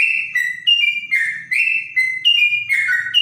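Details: Bright, level whistled notes from a trotok, a clear voice said to sound like a straw-headed bulbul, shifting between a few pitches with short pauses and a faint low hum behind.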